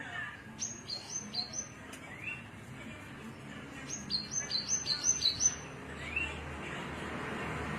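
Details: Cing ciu style song of a Cilacap Javan bush lark: thin high chirps in short clusters, a pause, then a faster run of about eight bright stepped notes, over steady hiss and distant noise.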